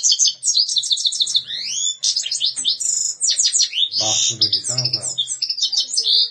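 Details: European goldfinch song of fast tinkling twitters, rising slurred whistles and buzzy trills packed closely together, with a human voice briefly audible underneath midway.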